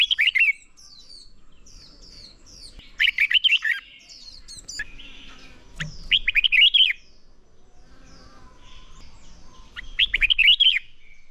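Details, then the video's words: Red-whiskered bulbul, recorded for song training to push birds toward fiery competition singing, gives brisk, rapid warbled phrases roughly every three to four seconds, bright and chattering, with soft twitters from other birds in the pauses. "Chào Mào Hót | Chào Mào Ché Kích Bổi Nhanh lên lửa - Thúc Chim Sổ Giọng | Luyện Chào Mào Hót Đấu"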